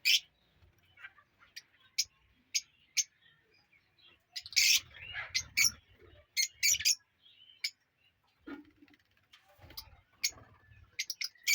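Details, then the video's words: A newly formed colony of ringed lovebirds in an aviary: scattered sharp, high chirps and squeaks from several birds, some in quick clusters, with soft low thumps between. "New Love birds colony"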